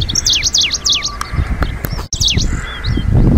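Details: Middendorff's grasshopper warbler on its Hokkaido breeding grounds, a bird of wild coastal flower meadows, recorded in 2023; rapid descending whistled notes in quick bursts, with low rumbling wind or handling noise beneath.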